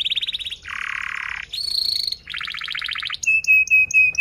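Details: Canary song meant as a tutor for young birds, a chain of varied phrases: a fast high trill, a lower buzzy rattle, a rising whistle, a dense pulsed trill and sharp clipped notes.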